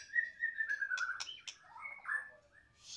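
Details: Caged White-rumped shama from Medan: a long sliding whistle followed by sharp clicks and short warbled notes, then a brief high buzz.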